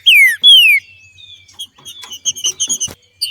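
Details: Green-winged Saltator female in nature, 'macheando' (singing as a male does) to stimulate others to sing: two loud, clear whistles sliding downward, then a faint drawn-out whistle and a few soft high chips.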